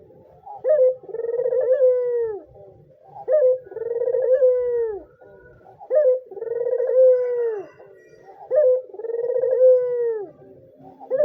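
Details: White dove calling vigorously, a recording meant to lure or tutor young or reluctant doves and to stir males to breed: four rolling, throaty coos, each a sharp opening note then a long wavering purr sliding downward, spaced about every two and a half seconds.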